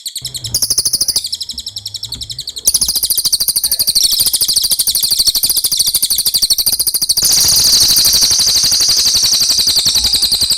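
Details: Cililin tutor recording for training captive songbirds: a long, dense, very high trill of rapid buzzy pulses runs almost without a break, shifting in pitch partway through and growing fuller near the end.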